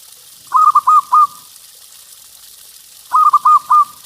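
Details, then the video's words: Local zebra dove used for luring other doves coos in two matching phrases about two and a half seconds apart, each four rapid hollow rolling notes, against steady background hiss. "Perkutut LOKAL GACOR Suara Paling Ampuh Untuk Pancingan Burung Perkutut"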